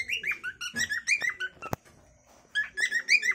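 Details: Cockatiel giving its natural calling song, a chattering string of harmonic chirps and whistles, broken by a sharp click and a short quiet gap before the chirping returns.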